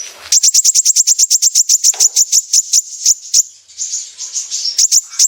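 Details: Sunbird (kolibri ninja) in full 'besetan' song, used to lure sunbirds into singing: a long run of rapid, evenly spaced, very high sharp ticks, about three per second, then a wavering thin trill and a few final ticks.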